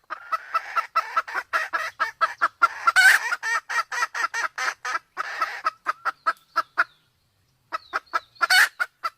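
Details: Male and female junglefowl from Sumatra, the female in heat, used to lure wild birds in; rapid chains of clipped clucks with a louder squawk midway, a short pause near the end, then more clucks.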